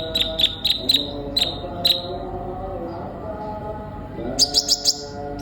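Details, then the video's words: Sunbird giving a series of sharp high chirps about three per second, a quiet gap, then a fast burst of four piercing notes, over a faint low hum. "Terapi burung kolibri ninja gacor"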